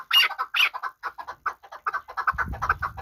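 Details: Chukar partridge for hunting, from Qabodiyon: two loud harsh notes open a short run of quicker, softer chucks, with rustling noise near the end.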